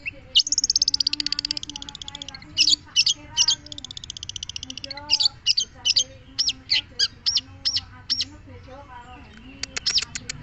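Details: Long-tailed shrike song: a long, varied stream of high, rapid chattering notes and short sharp whistles, delivered in dense bursts with brief pauses, ending in a fast run of clipped staccato notes.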